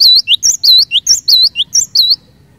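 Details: Song of a cinereous tit in full voice, used to get other cinereous tits singing: loud, clipped whistles in quick succession, high upswept notes alternating with lower ones, about eleven notes in two seconds before stopping.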